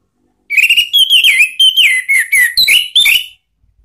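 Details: Orange-headed thrush lure song for coaxing a pet bird to answer: a continuous, fast chain of varied whistled notes, looping up and down in pitch for about three seconds.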